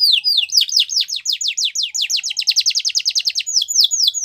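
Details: Yorkshire canary singing a training song for young canaries: fast series of descending whistled sweeps repeated several times a second, forming a rapid rolling trill with brief higher notes at the start and end.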